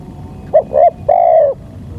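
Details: Single spotted dove lure phrase: two short clipped notes, the second slightly longer, then a drawn-out mellow coo that falls gently at the end.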